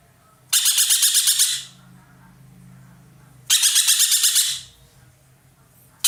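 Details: Ekek keling roller kept as a master bird by Indonesian songbird hobbyists, producing loud harsh pulsed chatters about three seconds apart over a soft low background drone.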